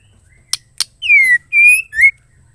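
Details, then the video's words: Two sharp ticks, then three pure whistled notes from a female white-rumped shama: a long downslurred whistle, a steady one, and a short rising one. The call is said to trigger singing in males. "DENGAR SUARA MURAI BETINA GACOR"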